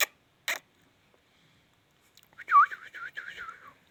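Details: Talking Indian ringneck parrot: two sharp clicks, a pause, then a run of quick wavy, warbling syllables that rise and fall in a chattering, speech-like stream, ending with a falling note.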